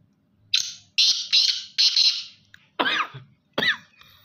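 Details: Captive black francolin, a young male five months old, gives a series of harsh, rasping notes, then two louder downward-sweeping calls in a quiet indoor setting.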